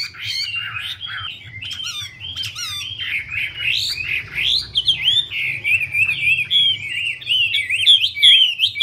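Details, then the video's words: Female Chinese hwamei dances with fanned plumage to spur the male on quickly; loud, continuous rich whistled song of varied looping, up-and-down slurred phrases with no pauses. "Họa mi mái múa xòe thúc trống nhanh lên lửa"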